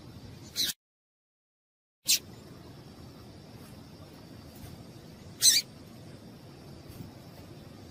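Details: Calls of a female yellow-bellied seedeater, used by breeders to warm up males for singing tournaments. Three brief, rasping high chips come at uneven intervals, and the background falls silent briefly after the first.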